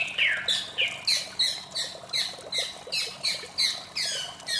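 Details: White-rumped shama in the morning uttering harsh, scratchy squawk-like notes, each beginning with a sharp whistle, repeated about three times a second at a steady pace.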